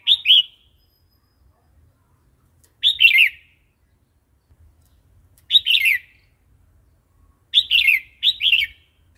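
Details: Red-whiskered bulbul singing wild-style song for training chicks and wild-caught birds: short bright two- and three-note whistled phrases, repeated every two to three seconds, ending with two phrases close together.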